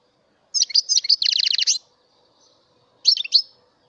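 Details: Mutation goldfinch song: rapid twittering that turns into a run of buzzy, evenly repeated trill notes, then silence and one short twittered phrase to close.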